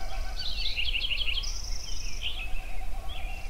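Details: Sunrise at Yellowstone with several songbirds: a rapid sparkling run of high notes, then a drawn-out high buzzy trill and scattered soft whistles, all above a continuous deep background rumble.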